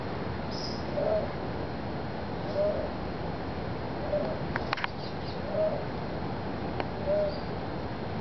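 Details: A presumed male bare-throated tiger heron, possibly courting or showing dominance and displaying before another bird, gives short, low hooting notes about every one and a half seconds over a steady hiss, with a few faint clicks, perhaps bill clacking.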